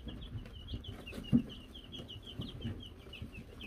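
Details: Young Wyandotte chicks, Silver Laced, Gold Laced and Gold Laced Blue, given a bell in May 2022; a dense stream of short, high, slightly falling peeps with one brief low knock.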